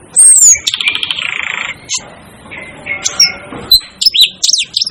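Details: A long descending shriek opens, followed by a buzzing rattle from an Asian glossy starling, then quieter pauses and a few sharp, high whistled chirps.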